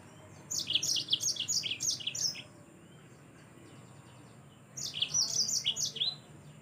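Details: Lively yellow-fronted canary song, meant as tutoring audio for songbirds: two fast phrases of sharp, high, bouncing chirps, each about two seconds long, separated by a quiet gap of roughly two seconds.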